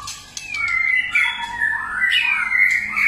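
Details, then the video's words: White-rumped shama in many-voiced song, used to set other shamas singing: long, smooth, gliding whistles that slide down, level out, then swoop again in a sustained, almost instrument-like flowing phrase. "kích chòe lửa hót,chòe lửa hót nhiều giọng"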